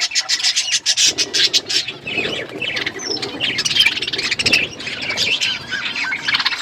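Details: Budgerigar parakeets eating: rhythmic bursts of squeaky chatter at first, then overlapping warbled chirps and short whistles from many birds.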